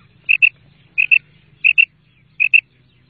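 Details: Female common quail (madi batair) calling: four clean paired notes, a quick double 'quip-quip' repeated about every 0.7 seconds, with a faint low rumble beneath.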